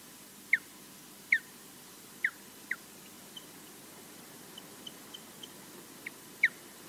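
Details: Osprey at a Loch Garten nest in Scotland defending it alone against a distant intruder: short, sharp, downslurred whistles given singly at irregular intervals of about one second, over a steady hiss.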